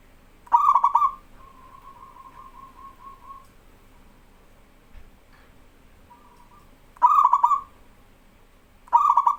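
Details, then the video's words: Energetic local zebra dove song, recorded to tutor young captive doves: three bursts of fast rolling, vibrating coos spaced several seconds apart, linked by softer, steady, even-pitched cooing and a brief faint coo. Background stays quiet. "BURUNG PERKUTUT LOKAL GACOR SUARA AMPUH UNTUK MASTERAN BURUNG PERKUTUT BAHAN"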